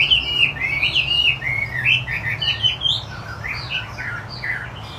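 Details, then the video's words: Wambi putih Chinese hwamei singing gacor with fast, jumbled whistled notes, a quick chattering run that softens toward the end, with a faint low hum underneath. "Hwamie Wambi Putih Gacor"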